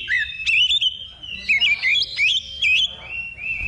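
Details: Oriental magpie-robin in simulated competition training: sweet, sliding whistles and quick looped notes, delivered in short bursts over a steady, high background tone.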